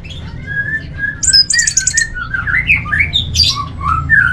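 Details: An orange-headed thrush sings low drawn-out whistles, then a rattling burst of high buzzy notes, and a chain of twisting rising and falling whistled phrases, all over a low background hum.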